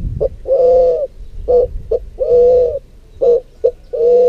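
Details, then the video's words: Pigeons and cuckoos of Argentina (spot-winged and picazuro pigeons, ground dove, guira and striped cuckoos): soft, low hooting coos in a short-long pattern, repeated about every two seconds over quiet background. "Cantos y gritos de aves Familias Columbidae y Cuculidae"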